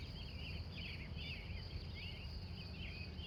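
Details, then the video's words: Pre-dawn wild birds in Glendive, Montana, USA, from 3:45 a.m.: separate slurred, swooping warbled phrases about every half second, over a steady high-pitched hum and low background rumble. "The Wild Morning Birds Of Montana"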